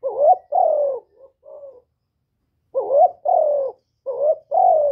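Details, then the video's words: Caged Spotted Dove decoy singing its full cooing song to rouse other kept doves: repeated two-part phrases of a warbling rising note then a sustained falling coo, with short softer notes between, three phrases in five seconds, close and clear. "Tiếng cu gáy mồi / cu gáy đủ bài giọng hạp bổi kích mồi luyện bổi mau nổi hiệu quả, Cu đất, cu cườm"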